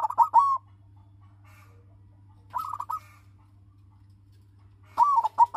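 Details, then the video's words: Captive-bred silver zebra dove, a local bird with a big-voiced rhythm, used to spur rivals into singing: rolling cooed phrases of three or four notes, repeated at intervals of about two and a half seconds, with low hum beneath. "SUARA PERKUTUT WARNA SILVER - pemancing birahi lawan agar cepat manggung dan rajin bunyi"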